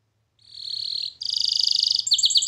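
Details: Canary training song fragment: a steady high buzzy note, then a dense rapid trill and quick pulsed chirps.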